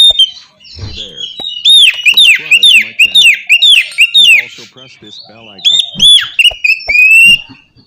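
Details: Oriental magpie-robin song used as morning playback to coax a reluctant bird into singing: loud, rich whistled phrases with rising and falling slurs, rapid repeated notes and sharp chips, with brief pauses between bursts.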